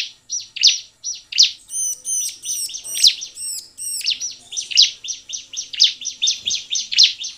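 A bar-winged prinia sings a quick, steady run of high, sharp chirps, broken midway by a few ringing, arched whistled notes. No other sounds intrude.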